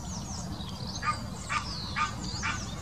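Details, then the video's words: Egyptian goose in the Wittlicher Senke, 2018, giving its mating call: four harsh, hoarse honks spaced about half a second apart, with thin high chirps of small birds and a low rumbling background. "Der Paarungsruf des Nilgans"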